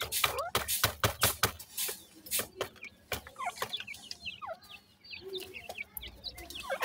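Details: At feeding time a Dakhni grey francolin female and five chicks: a string of loud pecking knocks first, then a busy stream of high, quick, rising chick chirps.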